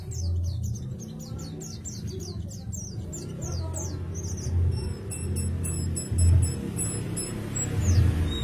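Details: Pet white-eye in full song in the Indonesian ngalas and teler styles, showing off a large repertoire of learned fill-in songs: rapid high thin chirps and short rising and falling whistles, some in dense trill bursts, over a steady low hum.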